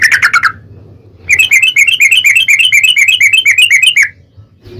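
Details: Yellow-vented bulbul 'ropel' song used to lure a bird into singing: a brief bubbly phrase, a pause, then a long, rapid, even trill of sharp repeated notes lasting nearly three seconds.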